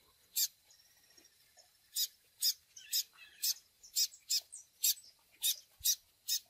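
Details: Chick cheeps used with Tui Tui song for training young seedeaters: a steady series of short, raspy, high notes, roughly two per second, over a faint background hiss.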